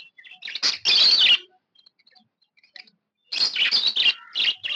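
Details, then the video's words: Happy pet budgerigar chirping: two bursts of high, scratchy warbled chirps and squeaks, dense and rapid, with a short quiet gap holding a few soft ticks. "Happy budgie chirping sound"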